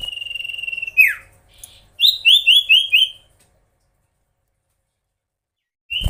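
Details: A magpie-robin sustains a long level whistle that drops away, then gives five quick slurred notes to provoke rival birds before a silent stretch and one final rising note.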